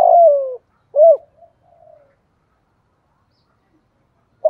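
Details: Spotted dove used as a lure with a 'thổ' style voice to rouse and train newly caught birds. One drawn-out falling coo and a brief rounded note, then faint trailing sounds and a long silence.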